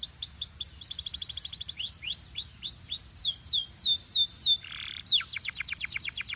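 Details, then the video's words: Canary song for training Timbrado singers: rapid curved whistles and a buzzy trill, a run of louder downward-sweeping notes, a brief metallic burst, then a quick pulsed roll. "Relaxing Canary Singing Sounds for Bird Lovers"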